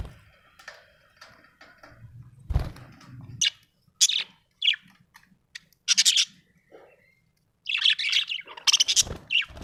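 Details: Happy budgerigar chirping: scattered short bright chirps and squeaky notes with brief warbled bursts, irregular pauses, and occasional low rustling thumps.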